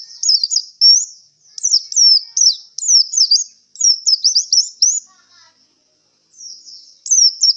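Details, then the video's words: Pleci (oriental white-eye) exhausted after a singing contest delivers a nearly continuous run of high, rapid chirping and twittering notes, pausing briefly near the end before resuming. "suara pleci kelelahan setelah pentas lomba"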